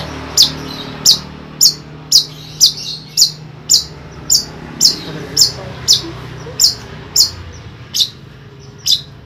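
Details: Kept long-tailed shrike from Ampelgading, Pemalang, Central Java, Indonesia: sharp, high chirps, about fifteen in nine seconds at a slightly uneven pace, over a soft low background hum.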